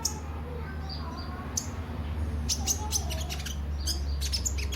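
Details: Brown-throated sunbird (kolibri ninja) in spirited song, used to prompt other birds to sing: sparse high chips, then a dense flurry of sharp ticking notes, over a noticeable low hum.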